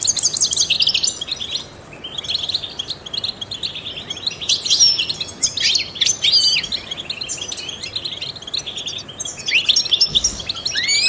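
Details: Trained European goldfinch singing a long, fast twittering song of liquid chirps and buzzy trills, in bursts with a brief lull near the middle, meant to stimulate other songbirds.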